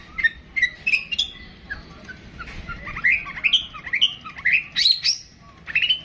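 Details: Pentet, the long-tailed shrike, in 'tembakan panjang' song: varied clear whistles, twangy upslurs and chirps in irregular bursts, some rising sharply, with brief pauses between phrases.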